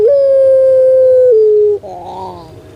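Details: Pet puter pelung dove from Indonesia gives a single drawn-out, level hooting coo lasting nearly two seconds that steps down in pitch, then a softer wavering tail.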